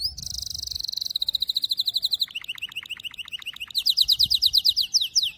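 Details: Canary song used to teach young canaries to sing: a rapid high trill, then a lower run of quick repeated notes, then fast descending sweeping notes repeated several times a second.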